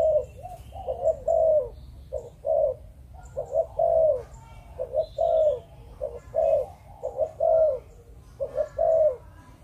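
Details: Malaysian-type spotted dove in breeding condition calling repeatedly: soft hooted double notes then a longer drawn coo, a steady rolling series, faint thin chirps of other birds behind.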